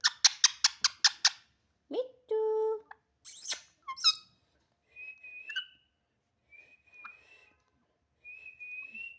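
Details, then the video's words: Indoor pet parrot known for talking: a rapid series of sharp clicks, a nasal squawk and hoarse bursts, then several thin level whistles spaced apart. "बहुत बोलता है बहुत बात करने बाला तोता"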